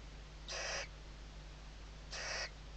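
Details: Nest webcam recording of Western barn owls, chicks sheltering under their mother's wings, Ebro Delta, Spain, 2023: a pair of rough, airy hissing bursts roughly one and a half seconds apart against constant low electrical hum.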